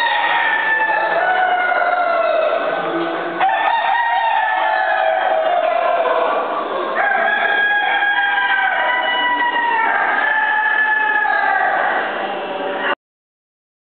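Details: Castellana Negra chickens at the 5th Spanish Poultry Championship: a continuous overlapping chorus of crowing and clucking, several birds calling at once with brief shifts in the din.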